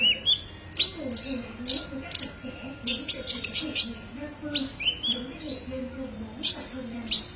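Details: Olive-backed sunbird (kolibri ninja) tutor song: lively, high chirps and upslurred notes in quick phrases, with a faint steady tone and low murmuring behind.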